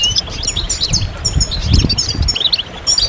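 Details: European goldfinches in group song, used to stimulate males and bring goldfinches out of moult: overlapping high twittering, tinkling notes and chirps from several birds, with rumbling low noise beneath.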